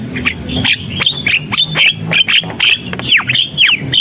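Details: Javan myna singing gacor, vigorous chattering song: harsh clicks and squawks mixed with sharp whistled notes that sweep steeply downward, delivered in quick irregular bursts almost twice a second, with a faint low hum beneath.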